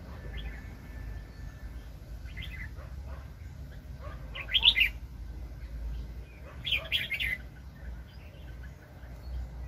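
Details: Red-whiskered bulbul recorded while trapping wild birds in 2020. Two loud bursts of chirpy, warbled notes stand out against scattered softer calls and a low background hum.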